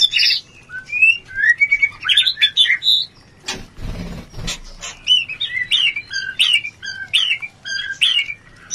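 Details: White-rumped shama mating sound played to lift breeding urge: lively strings of short rising and falling whistled notes, with a brief rushing noise partway through before the phrases resume.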